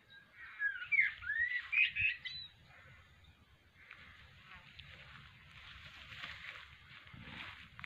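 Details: An afternoon blackbird in Australia practising: a short burst of sweet, warbling whistles in the first two seconds, followed by rougher, noisier distant bird sounds filling the rest.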